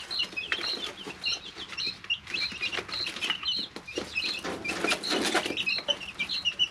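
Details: Chicks aged three weeks, kept in a brooder, peep in clusters of bright, high notes. Noisy rustling swells midway, and the calling continues around it.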